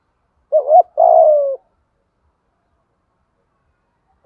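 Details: Spotted dove 'thúc gù' lure coo, played to coax caught or long-silent captive doves into calling: a single phrase of a brief quavering double note and then a drawn-out, low, gently falling coo, with silence after.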